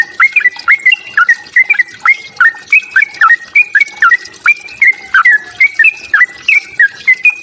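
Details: Fighting song of a sooty-headed bulbul, meant to stir up rival birds: a steady run of bright, clipped whistled notes, each rising then flattening, repeated in pairs and triplets for several seconds.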